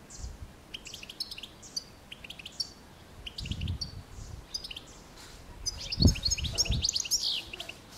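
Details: European goldfinch song: thin, tinkling high twitters and chirps repeated in quick succession over a steady background hiss, with low rumbling noise and a brief louder burst near the end.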